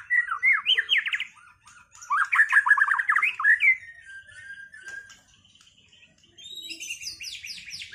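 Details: White-rumped shama finished moulting, in a duel meant to restore its performance: two loud bursts of fast rattling, buzzy notes, then softer whistles and a high chattering flourish.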